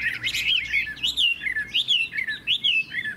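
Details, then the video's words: Loud "hót hét" song from a captive Chinese hwamei. Fast looping whistles swing high and low in a steady run of clear, slurred notes, several phrases within three seconds. "Họa mi hót hét tốt"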